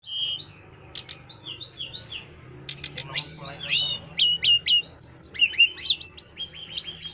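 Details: Striated grassbird singing a fast, varied run of high whistled notes, sharp chips and short slurred phrases. Tight bursts come in close succession, with a steady low hum underneath.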